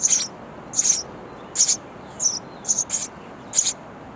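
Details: Chicks of sparrows in a nest box chirp for food from busy parents; bright, very high twittering bursts recur at irregular intervals against faint background noise.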